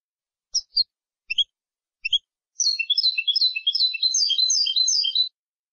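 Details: European goldfinch song for training young goldfinches: a few spaced, high, clipped chirps, then a fast, jangling run of liquid twittering notes lasting nearly three seconds. Faint low knocks sit beneath the early chirps.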